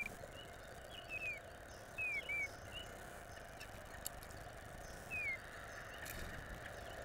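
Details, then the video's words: A female Eastern Bluebird singing persistently in the early morning on 14 April 2020 gives soft, slurred, falling whistled notes, three or four brief phrases spaced over several seconds, over a steady background hiss. "female Eastern Bluebird singing"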